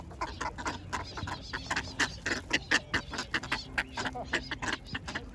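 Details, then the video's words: Ducks being fed bread, giving short, harsh, nasal quacks in quick succession, several bursts each second, some louder and sharper, with a steady low background hum throughout. "鴨 鳥の鳴き声"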